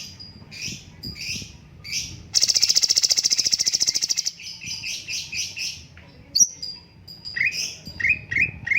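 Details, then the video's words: Cucak cungkok bulbul singing, offered as a tutor recording: scattered high chirps open into a long, loud, buzzing trill about two seconds long, then rhythmic chirp series and short downward-sliding whistles. "BURUNG CUNGKOK MASTER SUARA BAGUS JEDA TERAPI ALAMI"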